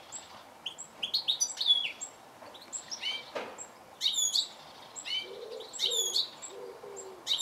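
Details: Goldfinch giving rapid, high, tinkling call notes in quick irregular clusters, some sliding down in pitch, with a short series of soft lower notes near the end.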